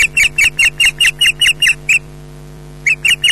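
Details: Scottish female osprey scolding her mate as he arrives for mating with no fish: shrill, squealing yelps in a quick even series, a one-second gap, then the yelping resumes; faint constant hum in background.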